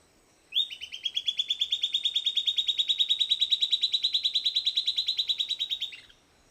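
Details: Silvered antbird song: a long, fast series of about twenty notes per second, even, buzzy-whistled, holding steady in pitch and then dropping at the end, lasting about five seconds.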